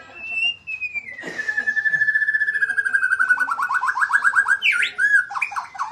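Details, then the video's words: Magpie-robin delivering a long, pure whistle that slowly falls in pitch and turns into a fast, even trill, ending with a few brighter, higher notes. "burung murai suara mewah"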